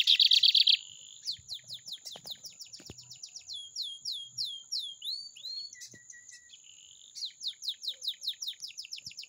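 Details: Caged lined seedeater in metralha song: opens with a loud rapid rattle, then runs of quick upslurred and downslurred whistled notes, fast repeated chips and buzzy trills, closing with a stuttering trill series; a constant high whine runs throughout.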